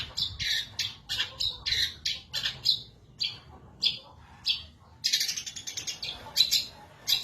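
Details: Long-tailed shrike kept in a cage in Indonesia, singing energetically once the cage cover comes off, for tutoring other birds: clipped raspy bursts in quick succession, a brief gap, then a denser run of grating, twittering notes.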